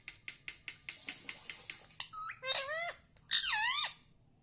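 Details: Pet parrot imitating spoken Hindi words such as mummy and papa; steady ticking about five times a second for two seconds, then two loud, strained, word-like phrases with wavering pitch.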